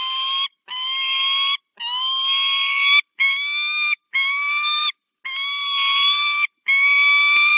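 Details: Peregrine falcon (Falco peregrinus), Barycz Valley, Poland, 18 March 2024: female gives harsh, drawn-out wailing calls, each about a second long, with brief pauses, calling her mate to swap nest duty.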